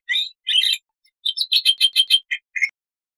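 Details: Black-winged starling in full-variation song: two scratchy opening notes, a short gap, then a quick run of about eight clipped chirps and two lower harsh notes.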